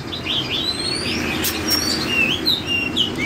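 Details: Oriental magpie-robin of the 'water-drop' body shape singing in the full 'forest voice' style: a rapid run of varied clear whistles and short rising slurred notes, bright and high, over a steady low hiss with two sharp clicks midway.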